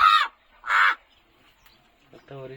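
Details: A tame talking crow, coaxed by its owner, gives two harsh, hoarse caws about half a second apart; a man's voice follows.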